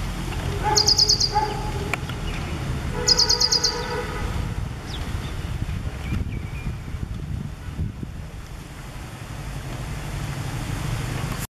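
Ashy prinia giving two quick bursts of rapid, high chirps about two seconds apart, over a steady low rumble of traffic or wind.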